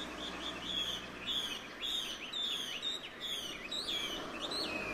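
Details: Chinese hwamei in Ito, Japan, 12 February 2023, singing for the first time that year: a run of sharp, varied whistled notes with quick downward slurs, over low rumbling background noise.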